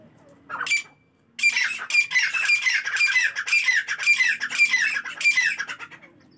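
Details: Partridges calling in the morning: one short squawk, a brief silence, then a long, unbroken series of loud, grating notes about twice per second.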